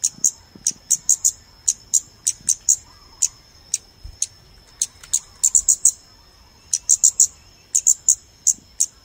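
Scarlet-backed Flowerpecker giving sharp, high, clicking tsik notes, about two or three a second in uneven bursts, over a steady high whine.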